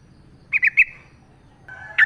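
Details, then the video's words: Yellow-vented bulbul in the wild, recorded to prompt caged bulbuls to sing: three quick slurred notes, a soft low whistle, then one more sharp chirp. "trucuk gacor ngalas full suara alam AMPUH buat pancingan jadikan trucukmu gacor terus"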